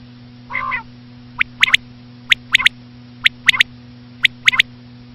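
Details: Common quail, described as the female: one nasal buzzy note, then sharp clipped triplets of high notes about once a second, over a low electrical hum.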